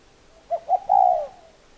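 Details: Spotted dove giving a clear, low cooing phrase: two quick soft notes, then a prolonged hollow coo that sinks slightly in pitch, with light background hum.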